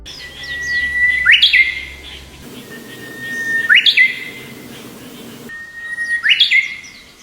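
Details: A Japanese bush warbler sings three times, about every two and a half seconds: a long, steady clear whistle that breaks into a quick, rising, fluty flourish.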